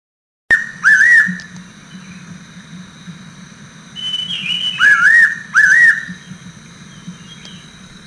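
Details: Fairy pitta calling clear, wavering two-part whistles, given singly and then as a close pair, over a steady low hum; a higher, thinner whistle from another bird slides downward between them.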